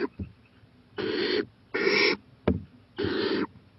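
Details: Owl heading to a porch late at night, 11:26 pm, April 23, 2018; three long rough hissing screeches about half a second each, plus a few short knocks and taps.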